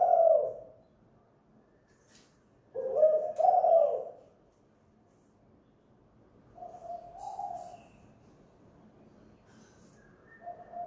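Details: Spotted dove, a lure bird kept at home and singing in the two-note 'kuk gantung' style: low, mellow cooing phrases in three bursts separated by pauses of a few seconds, with faint background hum.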